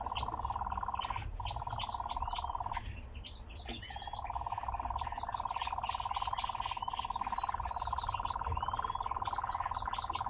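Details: Captive nightjar singing while dancing: a long, steady, rapidly pulsed mid-pitched churr that drops out briefly and resumes, with many small birds chirping and twittering over it and a low background hum.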